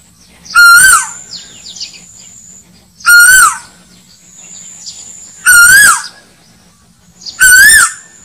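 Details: Asian koel call played to lure birds for hunting: loud, harsh, rising-and-falling notes repeated roughly every two to three seconds, heavily distorted, with a faint steady hum beneath.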